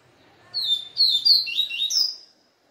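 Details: Papa-capim seedeater stirred up after a day spent with a female, giving a quick burst of sharp, high chirped and slurred notes, ending on a rising whistled phrase, close and clear.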